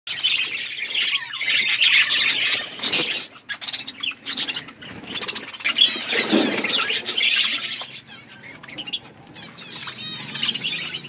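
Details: Wild parrots calling in a dense, continuous chatter of shrill, scratchy chirps and squeals, many voices overlapping at once, with a brief lull near the middle and a louder burst of calls just after.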